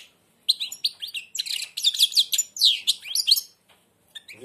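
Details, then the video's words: Blind European goldfinch singing with its beak almost closed: a dense, fast run of high twittering, buzzy and trilled notes with sliding whistles, pausing briefly near the end, then a man's voice. "تغريد_الحسون أعمى سبحان الله يغرد ومنقاره شبه مغلوق"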